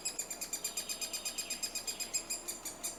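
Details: Three-toed woodpecker in Estonia in the nesting season. Shrill, buzzy pulses repeat rapidly and evenly, roughly five per second, throughout with no other clear sounds.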